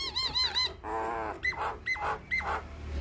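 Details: Captive Nias hill myna singing, a recording used to teach young birds: wavering whistled notes, a harsh nasal squawk, then three sharp whistles that jump upward and drop, each about half a second apart, heard indoors.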